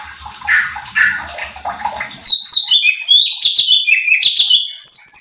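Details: Cucak cungkok bulbul singing as a lure to provoke other birds: a soft noisy start gives way to a busy string of high, clear, downslurred whistles.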